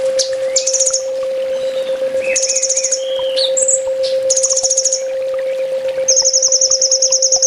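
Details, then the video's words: Olive-backed sunbird, known locally as kolibri ninja, singing a full tembak master song for training: rapid high buzzing trill bursts repeated several times, mixed with short slurred whistles and chips, a constant low hum beneath. "Suara masteran burung kolibri ninja full tembak"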